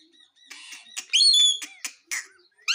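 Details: Pet parrot indoors making harsh, noisy squawks and short bright upslurred notes, a cluster of loud buzzy bursts around the middle followed by two sharp rising chirps.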